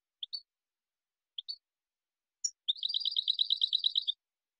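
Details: Song of a European goldfinch: a few isolated two-part chirps, then a quick, even run of bright tinkling notes lasting over a second.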